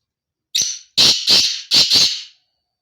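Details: Black francolin, locally kala teetar, gives a loud harsh call: a short thin opening note, then four grating, rasping notes paired two and two, each pair pausing briefly. Clear, with no other sounds.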